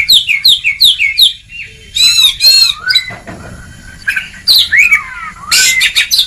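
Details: White-rumped shama training recording in ngeplong style: a quick run of repeated falling notes, then harsh buzzy rattles and mixed whistles.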